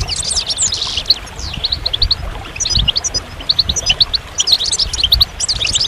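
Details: Goldfinch song made of quick, sparkling high notes given in short repeated groups of two or three, separated by brief gaps, with an energetic rhythm of twittering chatter.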